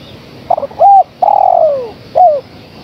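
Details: Female spotted dove calling to the male: a few short stuttering notes, then a clear low coo, a long drawn-out coo sliding downward, and a final short falling coo, loud and close against faint background hiss.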